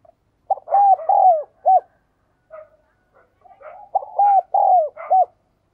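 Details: Spotted dove repeating its hollow four-note cooing phrase twice, long middle notes bending downward, with faint softer calls in the pause between.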